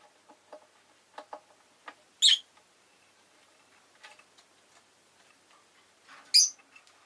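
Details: Pet rosy-faced lovebird giving two loud, shrill, harsh chirps several seconds apart, with faint scattered clicks and ticks in between and quiet town background sounds.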